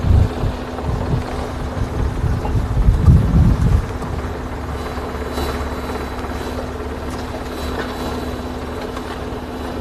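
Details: Heavy engine or helicopter-like drone with a steady low hum, louder rumbling in the first four seconds.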